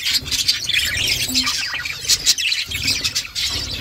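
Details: Budgerigar mother feeding her chicks; rapid, uneven scratchy chirping with short squeaky peaks and a brief low hum.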